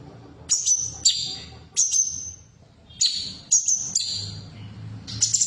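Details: Female cucak cungkok bulbul voice for stimulating caged birds to sing: repeated high sharp whistles, some paired and falling in pitch, spaced about half a second to a second apart, over steady low hum.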